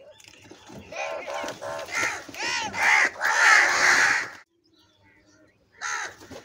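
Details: Crows crying continuously during a fight over food: a rapid run of about eight harsh, grating caws swelling into a long raucous burst, a short silence, then one more caw.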